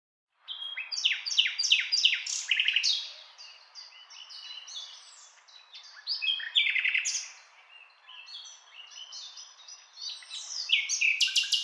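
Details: Common nightingale singing: a run of five loud, sharply descending whistled notes repeated in quick succession, then varied buzzy, chattering and high whistled phrases with brief pauses, ending in piercing high notes; no other sounds.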